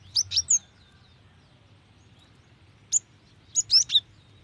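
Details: Female cinereous tit calling to a male, used to lure wild birds into calling: a quick group of three high, sharp, sliding chirps, a lone chirp near three seconds, then a fast burst of four similar notes, in quiet surroundings.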